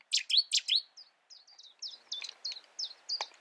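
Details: Cetti's warbler singing in the UK: an abrupt loud opening of three emphatic notes, followed by a quick series of repeated chirpy phrases that gradually soften.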